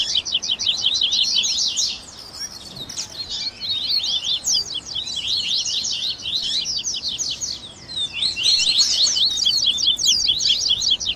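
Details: 'Baderninha' of Double-collared seedeaters meant to encourage a captive bird to sing: sustained, crowded high twittering with quick falling notes, dipping briefly twice before resuming strongly.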